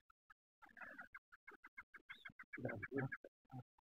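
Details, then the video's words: Pair of chukar partridges just released into the Tanglae hills near Baffa, calling as they go: rapid, uneven clucking chuck notes, several per second, with a louder burst of low, rough sound partway through. "Chukar Sound"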